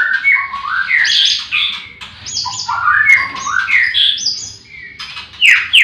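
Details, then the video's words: Caged white-rumped shamas at a breeding farm in the morning, where all the birds are singing. Rich, varied phrases of slurred whistles and sharp upward sweeps, with short pauses between bursts and other birds chirping behind. "Pancingan murai batu di kandang ternak ll chirping magpie"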